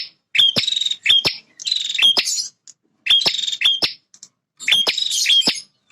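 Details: Male bar-winged prinia, a fighting bird that defends its territory, singing loudly and persistently: buzzy, high phrases, each opening with sharp clicks and holding a thin whistled note, in four bursts with short silent gaps.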